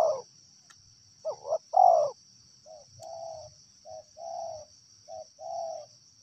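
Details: Wild spotted dove giving a loud hoarse coo phrase: a wavering double note, then a long falling coo. Several softer, more distant coo phrases follow at steady intervals.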